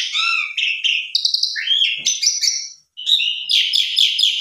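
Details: Javan pied starling lure song loaded with fill-in phrases to set other starlings singing; a harmonic whistled opening, stuttering buzzy notes and sliding whistles, then, after a brief silence, a harsh rattling trill.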